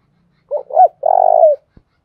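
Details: Spotted dove kept as a decoy to draw in wild doves, uttering two brief rising notes and then a long purring coo that dips at its end, followed by a faint click.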